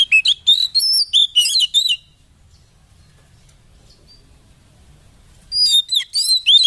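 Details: Oriental magpie-robin song used as a lure to provoke caged birds into agitation and singing: two bursts of rapid, varied whistled and chattering notes, high and sharp, split by about three seconds of quiet.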